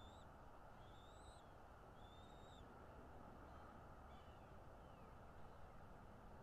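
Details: Bald eagle at its Northeast Florida nest, nest camera, 13 February 2022 mid-morning: several high, thin whistled notes that rise and then drop, clearer at first and fading later, over steady low background rumble.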